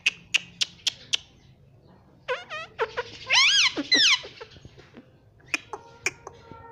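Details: Talking pet ringneck parakeet in a small room. Sharp tapping clicks lead into a string of short chattering notes and two loud, arching, nasal syllables, then more clicks and faint whistles.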